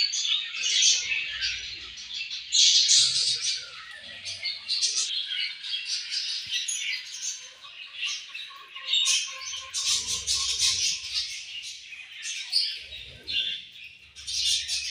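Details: Budgerigars eating together and playing, keeping up a long, noisy stream of harsh squawks and fast chirps, with brief quieter patches and a faint thin whistle.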